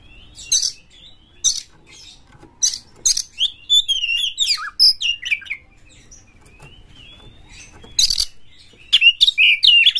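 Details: Kacer, or Oriental magpie-robin, a champion bird singing hard with open tail to provoke others: harsh hissing bursts alternating with quick twisting whistles and short slurred notes.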